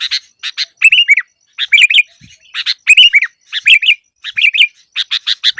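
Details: Song of a sooty-headed bulbul recorded for luring reluctant singers when trapping: cheerful gurgling whistled phrases of three to four notes, alternating with dry buzzy chattering bursts, repeated steadily, background otherwise quiet.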